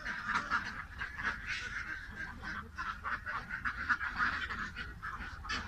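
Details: Flock of ducks giving a steady stream of overlapping nasal quacks, several per second, rising and falling in loudness, with a low rumbling background throughout.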